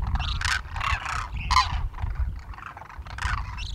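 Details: Flock of Demoiselle cranes feeding on the ground in winter at Khichan village, Rajasthan, India, giving harsh, rolling croaks in overlapping bursts about every half second, over a steady low rumble of wind or distant traffic.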